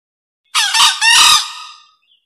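A green junglefowl gives one short, hoarse two-part crow, a rasping burst followed by a longer, slightly higher screech that fades within about two seconds.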